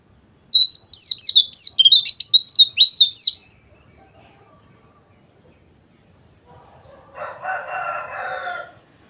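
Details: A white-eye bursts into rapid dakbal twittering of high, sharp notes for about three seconds, used as therapy to make birds sing. A long silence follows, then a low harsh grating sound.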